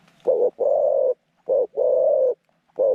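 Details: Zebra dove kept as a decoy for trapping wild doves, giving loud alternating short and long rolling buzzy coos, closely spaced and mid-pitched.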